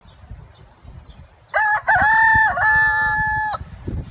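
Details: White rooster crowing once: a loud harmonic-rich crow of about two seconds, a brief broken opening then a long sustained steady tone ending abruptly, over faint low background rumble.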